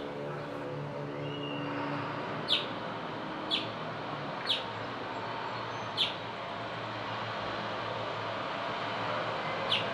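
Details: Adult male house finch recorded 9 April 2024 in Elkridge, Maryland: six brief bright chirps at irregular intervals of one to two seconds, with constant road traffic noise underneath.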